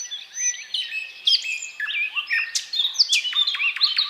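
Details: Varied thrush nightingale song: a thin high whistle opens, then a jumble of warbled, slurred phrases and loud sharp accents delivered at an unhurried pace with short gaps.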